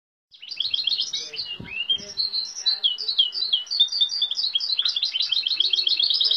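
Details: Caged hybrid of European goldfinch and Timbrado canary, a canary-mule, singing with imitations of goldfinch, great tit, cirl bunting, nightingale, western rock nuthatch and woodlark; fast, continuous twittering with rapid trills and chattering notes, unbroken after a brief start.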